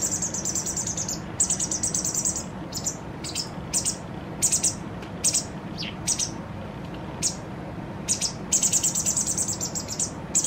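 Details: Begging fledgling White wagtail, two days from independence, being fed generously by its parent: bursts of thin, high-pitched chirps and trills, some sliding downward, repeated irregularly over about ten seconds with soft low rumble beneath.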